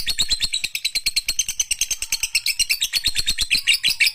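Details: Energetic lovebird chatter, with quick pulsed, grating notes stacked with shrill squeaks at roughly three per second, steady and loud from start to finish.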